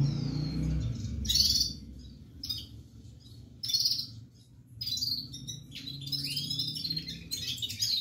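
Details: Red-fronted serin singing in short, separate bursts of high, buzzy twitter with brief silences between, growing into a longer jingling phrase toward the end over a low hum.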